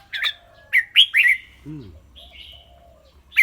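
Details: Red-whiskered bulbul with a clear voice, singing and chattering: a few bright whistled notes rising and falling, then a slurred downward whistle and a softer whistled phrase, with a brief low voiced sound in between.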